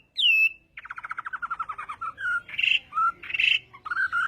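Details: Chinese hwamei in morning contest song practice opens with one bright downslurred whistle, then a rapid rattling trill of descending notes, followed by loud warbled phrases.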